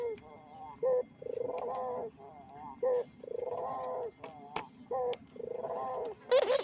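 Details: Lure coos of a burung puter, a collared dove, to stir other doves. Alternating short sharp notes and longer rolling, pulsed coos, about five phrases. A few clicks are heard, and there is a brief noisy burst at the end.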